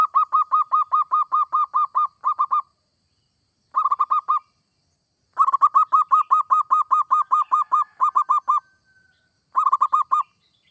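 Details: Zebra dove song, played to get other doves singing: runs of rapid, evenly spaced low cooing notes with harmonics, delivered in bursts of up to about a dozen, separated by short silences.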